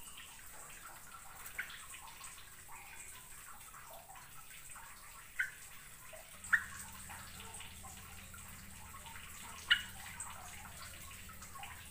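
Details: Only a few sharp drips or taps over a steady background hiss, with a low hum joining halfway through; no birdsong stands out.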